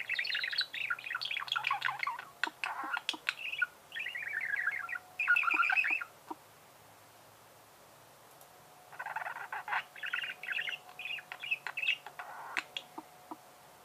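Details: Tame budgerigar kept as a house pet, chattering in rapid warbled runs and clicks, a long burst, a pause of about two seconds, then another fast chirping run; a faint steady hum underneath.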